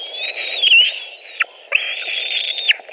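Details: White-tailed eagles feeding at their nest in Latvia on 23 June 2018: two drawn-out, high, piping whining calls, level and slightly wavering, separated by a short pause, with a soft background hum.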